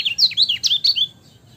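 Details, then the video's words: Lemon-bellied white-eye, the yellow white-eye, giving a short burst of bright, high slurred chirps, about six quick notes in a second before falling silent. "MASTERAN KECIAL KUNING CIAK JOSS GACOR"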